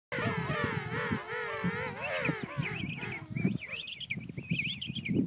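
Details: King penguins, two parents feeding their chick: a loud wavering, harmonic trumpeting call rising and falling for about two and a half seconds, then higher thin whistled notes repeated over a low rumbling background.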